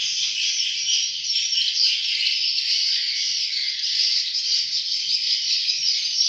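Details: Young swiftlets produce a continuous shrill wall of high chirping, thick and even throughout, with only scattered soft low ticks in the background.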